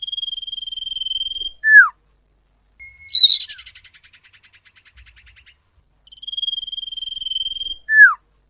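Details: Common iora lure call for attracting wild birds: a steady, clear whistle lasting about a second and a half, ending in a sharp downslur, with a dry buzzy trill between repeats.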